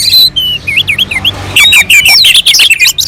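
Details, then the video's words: Short burst of orange-headed thrush song, used as a lure to set other birds singing, recorded on a mountain slope: a few looping whistles, a brief pause, then a loud tumble of high twittering notes. "kicauan anis merah sangat merdu dan gacor untuk pancingan"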